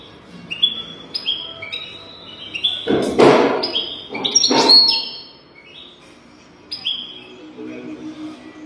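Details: European goldfinch song, recorded as a tutor track for teaching young goldfinches to sing: bright whistled notes stepping between high pitches, interrupted by two loud broad noisy bursts midway.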